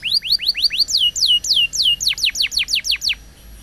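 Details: Champion-style canary song meant for training young canaries: a series of rising whistled notes, then longer downward-slurred sweeps, then fast falling notes, each repeated several times in steady rolls.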